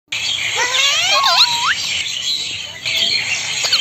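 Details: Male Indian ringneck parrot, described as talking and kissing, gives a few looping, rising whistled sweeps and wavering tones in the first second and a half, over a constant bright hiss of background noise.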